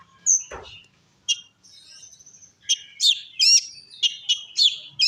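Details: Oriental magpie-robin in full, loud 'ngeplong' song used to provoke other magpie-robins: a high clear whistle, a sweeping downward note, then a rapid run of sharp, varied chirps and trills repeated several times a second.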